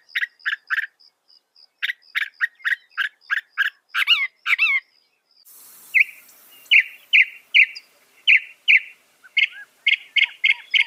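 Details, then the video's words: Northern mockingbird (Mimus polyglottos) singing a long string of sharp, evenly spaced chip notes, then a run of slurred, warbling notes and repeated rising whistles. "Masteran Burung Kicau Mockingbird Gacor - Mockingbird Bird Sound"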